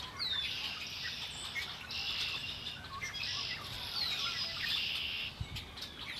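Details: Several birds by Lake Erie call over a dense high buzzing chorus, with a few sharp downswept chirps at the start and near the fourth second.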